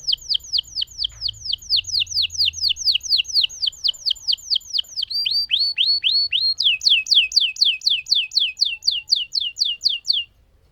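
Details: Lemon canary singing vigorously in a long rolling song: a steady stream of high, downslurred notes about four per second, switching to a lower, hooked phrase near the middle, then back to a brighter, faster series until it stops.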